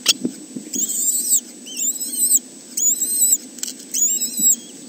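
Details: Kestrel nest webcam at Arne reserve, 30 May 2013, with three chicks: four strained, rasping squeals, each slightly wavering and lasting about half a second, spaced roughly a second apart, with faint clicks and a constant low hum underneath.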